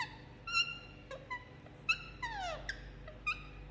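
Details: Indian ringneck parakeet kept as a pet, making cute sounds while receiving a head massage: scattered short whistled chirps and one longer descending slurred note, irregularly spaced over a quiet low hum.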